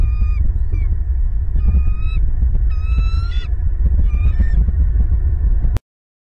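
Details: Bald eagles calling at a Southwest Florida nest watched by a nest camera on 28 December 2021, hatching day of the pair's second chick. Squeaky whistled notes come in quick bursts, some rising at the end, over a constant deep rumble, then sudden silence.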